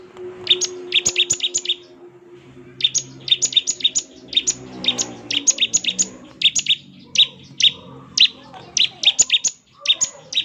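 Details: Bar-winged prinia giving long runs of quick, high, sharp chirps in dense clusters, brief pauses between bursts, over a soft low hum.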